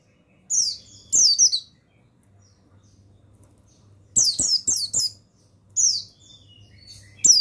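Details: Stimulating song of the male pleci buxtoni, the mountain white-eye: scattered clusters of shrill, falling twittered notes, a pair near the start, a run of four around the middle, and single phrases later, with sharp clicks between.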